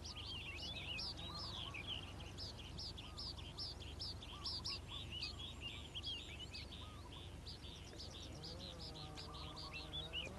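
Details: Singing in the morning, a calandra lark delivers a long, busy stream of clipped high notes and trills, briefly easing near the end, set over a low steady rumble.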